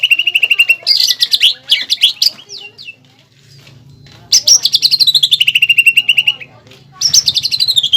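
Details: Greater green leafbird kept in a cage, in full, steady song used to lure and train other birds, with pelatuk bawang filler: long rattling trills that slide downward, alternating with quick bursts of mixed whistled notes.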